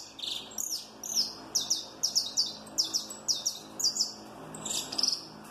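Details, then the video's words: Strongly snapping song from a Peruvian saffron finch of the giant mutation: a steady run of about ten loud, high, downward-sweeping notes, evenly spaced near two per second, with a brief trill at the end. "CANÁRIO DA TERRA PERUANO ESTALANDO MUITO FORTE - CANTO DO CANÁRIO DA TERRA MUTAÇÃO GIGANTE"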